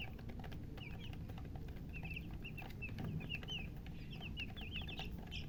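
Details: Freshly hatched chicks peep loudly and steadily, with quick, high, slurred notes, often in rapid runs of two or three from several birds, over a constant low rumble.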